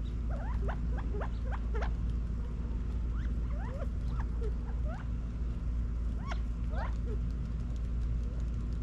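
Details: Back-yard California quail in Las Vegas, Nevada, fall 2022, calling while feeding: clusters of quick rising and falling chirped notes, several in fast runs, then sparser, above a constant low droning background.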